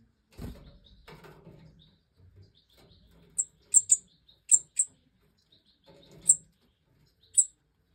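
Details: Captive-bred European goldfinch of the Major type, 2024 breeding: a hen feeding her last five chicks after they jumped from the nest. Short, very high, thin chirps come in quick pairs and singles, about eight in all, after low knocks and rustling at the start.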